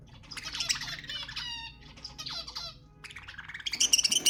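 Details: Budgerigar warbling meant to stimulate mating: short bursts of buzzy, stacked chirps separated by brief pauses, ending with loud, sharp, high squawks in quick succession.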